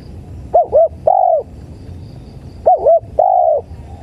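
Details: Spotted dove, known locally as tekukur, in a playback recording used to lure birds: a clear two-part coo phrase, two quick hooked notes then a longer steady coo, repeated twice about two seconds apart.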